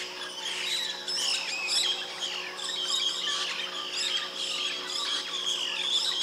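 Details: White-bellied parrots giving continuous shrill, squawking chatter, many overlapping harsh calls for several seconds without a pause, over a faint steady hum.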